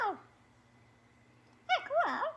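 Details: Pet parrot during its morning repertoire: a brief falling note, a quiet gap, then two quick speech-like warbling syllables with bending harmonic pitch, indoors.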